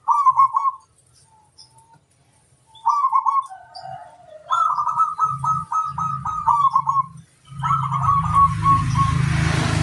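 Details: Local zebra dove (perkutut lokal) singing to call a rival: rhythmic, bubbling coos in quick pulsed runs, a short opening phrase then longer rolling series of even beats, with a low hum and a burst of hiss at the end.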